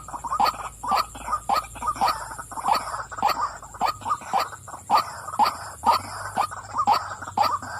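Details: Repeated harsh, nasal croaks come from a calling female white-breasted waterhen, around two per second, somewhat blurred and rough, with constant background hiss.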